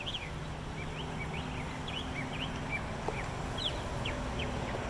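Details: A Northern mockingbird sings from a light fixture in Bluffton, South Carolina: a steady run of short, quick chirps and slurred notes at a fairly high pitch, over a constant low mechanical hum.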